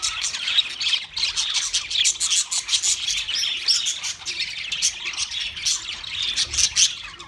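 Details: A flock of pet budgerigars giving a steady, rapid stream of high chirps and twittering warbles that runs on without a break.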